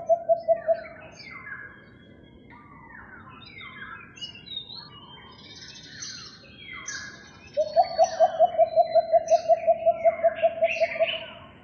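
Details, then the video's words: Philippine coucal calling in a neighbourhood on May 3, 2022: a short set of low hoots, then several seconds of busy chirping from other birds, followed by a long rapid train of deep, evenly spaced hooting notes. "The Call of Philippine Coucals"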